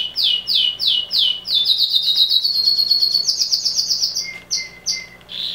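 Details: Very loud male canary song: rapid repeated upswept notes accelerate into a fast rolling trill, followed by a few spaced sharp notes and a final buzzy burst.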